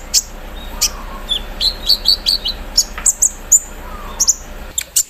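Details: Morning song of a caged olive-backed sunbird put out in the dew, imitating an embroidery machine: high piercing chips and short whistled slurs repeated roughly every second in uneven bursts, over quiet background hiss.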